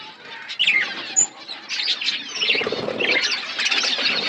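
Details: Budgies in a colony chattering: scattered high chirps and a thin whistle at first, then a swelling chorus of squeaky warbled notes from several birds.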